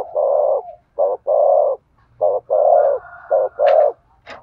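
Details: Spotted dove cooing to stir up a male: a run of low, hollow coos alternating short and long notes, about one a second. A faint higher whistle is heard near the end.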